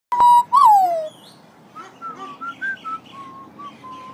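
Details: Australian magpie whistling: a loud clear note that swells and slides downward, followed by a soft run of short level whistled notes at varying pitches.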